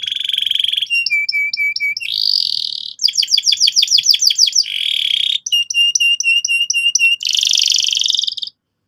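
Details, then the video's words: Canary singing nonstop as a lure for young birds to roll; alternating buzzy rolls and crisp repeated notes, with steady runs of fast, evenly spaced high chirps between dense trilled stretches. "PANCINGAN BURUNG KENARI GACOR SEKETIKA BIKIN PAUD NGEROL NGK MAU DIAM"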